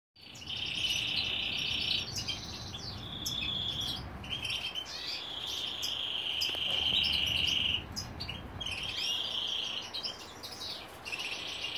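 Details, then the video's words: A female European goldfinch begs a canary for food with high, buzzy, trilling notes in drawn-out bursts of one to two seconds, repeated with short breaks over a faint low hum. "Jilguera Pide Comida a Canario"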